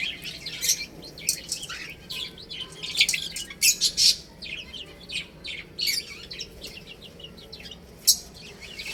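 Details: Baby chickens eating and drinking, giving high peeping chirps scattered through the clip, mixed with sharp broadband clicks and tapping, likely pecking at food or water.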